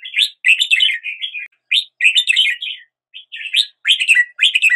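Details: Red-whiskered bulbul singing: clear warbled phrases of quick rising and falling notes, bursts separated by short pauses, bright and loud against a silent background.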